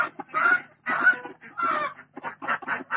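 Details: Hybrid laying hen on a Thai farm calling before laying an egg: loud drawn-out harsh clucks spaced about half a second apart, some longer squawking notes, followed by quicker shorter clucks.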